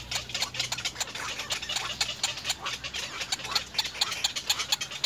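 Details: Nestling little egrets begging from their parents for food, giving a continuous rattling chatter of sharp, dry clicks repeated several times a second over a low background hum.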